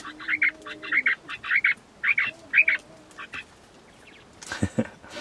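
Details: Captive quails in winter, laying eggs after a warm spell, give short, squeaky, buzzy bursts of two or three notes about twice a second, over a faint low hum, with brief rustling at the end.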